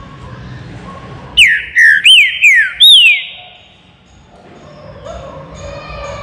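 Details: Green-winged saltator, baruc song style, kept in an aviary: five strong whistled notes in quick succession, each dropping in pitch, the last rising then falling, with quiet surroundings before and after.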